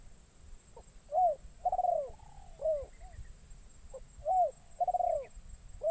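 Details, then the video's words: Newly trained spotted dove on its first outing, calling in forest to lure wild doves, though none came near. Repeated gentle coo phrases: a clipped note, an arched coo, a longer rolling coo and a falling coo. A steady high whine is present. "Burung Terkukur Pikat"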